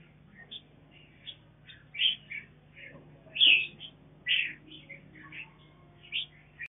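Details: Captive mutant mountain red-whiskered bulbul feeding chicks; a busy run of short, high chirps and squeaky twitters, several louder notes standing out, with a steady low hum throughout.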